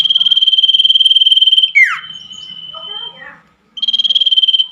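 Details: Common iora at night, played as therapy for caged birds that have stopped singing: a loud, fast buzzy trill on one high pitch lasting about two seconds, then a sharp downward-sweeping note, a quieter level whistle, and the trill again.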